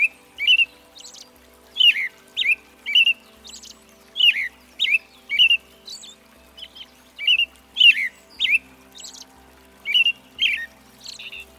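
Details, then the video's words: An American robin sings a long string of carolling phrases, rich whistled notes sliding down and up, spaced about half a second apart with occasional thin high squeaks between them, steady faint background hum. "Red-breasted Thrush Singing (American Robin) Zorzal Migratorio"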